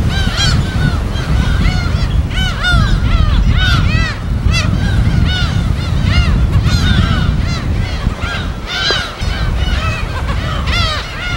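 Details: Crowded chorus of gulls at a natural colony on an uninhabited island in the West Sea: continuous overlapping nasal, arched cries from many birds throughout, with heavy crashing waves and wind beneath.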